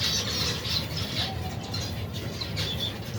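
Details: Finch colony with young birds eating, over 120 pairs, cold weather: quick repeated chirps, several per second, from many birds at once, plus low background rumble.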